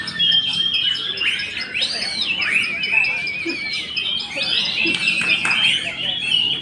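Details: On a bird-contest hanging pole, an Oriental magpie-robin delivers rich whistled song: arched, looping notes and rapid warbled trills in quick succession, with other singing birds and faint voices behind.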